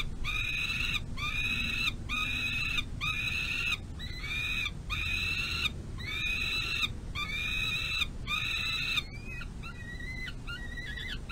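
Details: Ravenous young peregrine falcon being fed by its mother near the nest box at the end of a dinner feeding, late May 2022. It gives loud, rasping, evenly repeated screams, about one per second, then softer, thinner notes.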